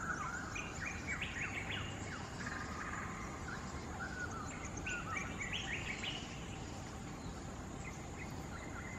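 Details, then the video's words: One of two endangered straw-headed bulbuls perched at a distance in a quarry in Singapore sings rich, bubbling, warbled phrases in bursts every few seconds, amplified by the cavernous quarry, over a steady hum. "STRAW-HEADED BULBUL's melodious singing"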